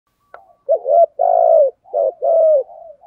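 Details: A spotted dove used as a decoy gives soft, low, hollow coos in two quick phrases, each a short note followed by a longer drawn-out coo, with nothing else heard.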